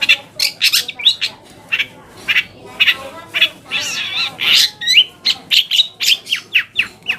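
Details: Long-tailed shrike used as a lure for rival shrikes: dense harsh squawking and raspy chatter with occasional sharp rising whistles, in a fast, irregular stream.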